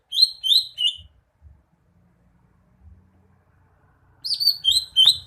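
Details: Greater green leafbird song: short bright whistled notes with overtones, three quick slurred whistles, a pause, then another run of sharp rising and falling whistles.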